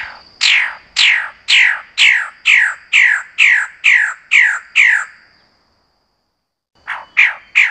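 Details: Magnificent bird-of-paradise giving a series of harsh, downslurred squawks, about two per second, ten in a row, then a short pause before more begin; a faint steady high tone runs behind.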